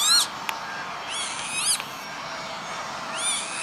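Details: Northern lapwing near Veenendaal, the Netherlands, May 2013: three fairly faint, wheezy calls rising and falling in pitch, separated by about a second of steady hiss, with a brief click between the first two.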